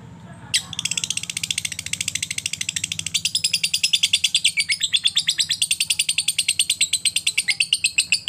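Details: Lovebird ngekek, a long chattering trill given after ticking and used to stimulate other lovebirds to sing: after a brief quiet start, a dense, rapid, high buzzy trill of steady pulses lasting nearly eight seconds.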